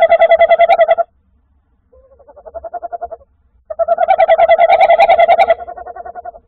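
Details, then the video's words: Tawny owl giving repeated rapid trills, recorded 21 January 2024: two loud, quavering bursts of fast pulses with a softer trill between them and brief silences. "Mucho reclamo"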